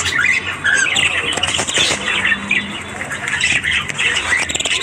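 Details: Morning chorus of budgerigars: harsh squawks and chirpy warbling from several birds, with short curving whistles early on and a dense, scratchy background of overlapping calls.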